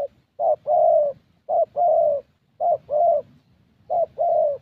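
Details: Spotted Dove, a young thổ bird, calling at a decoy session in Gia Lai, Vietnam; four steady paired coos, each a brief low note followed by a longer mellow one, repeated about every second.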